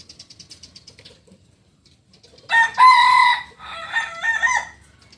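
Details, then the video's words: Kukuak Balenggek rooster, a native singing chicken breed from Solok, West Sumatra, giving a loud multi-part crow with harmonic, stepped syllables after soft chirping from other birds. "Ayam kukuak balenggek ayam asli solok sumbar"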